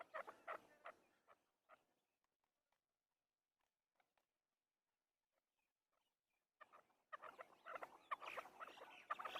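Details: Afghani chakor (Chukar partridge) giving harsh, clucking chuck notes, first spaced about once a second, then a dense, excited run of rapid chattering after a quiet pause.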